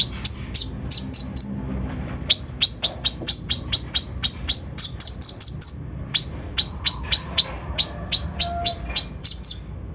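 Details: Kolibri ninja with a full, rough fill-in lure song meant to raise other birds' emotion: rapid, piercing high chirps in near-continuous trains for ten seconds, with a brief gap midway.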